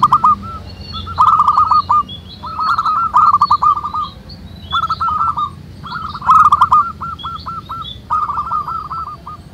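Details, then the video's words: Local zebra doves cooing together in nature: repeated phrases of quick hooked notes in clusters, separated by short pauses, with sharp clicks and higher thin calls from other birds. "SUARA BURUNG PERKUTUT MANGGUNG RAMAI DI ALAM"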